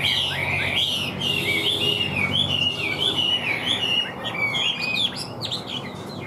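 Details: Rich, fluid whistling from a caged Chinese hwamei sold as a strong, steady singer. Rapid rising and falling notes run about one and a half per second, with a faint hum behind.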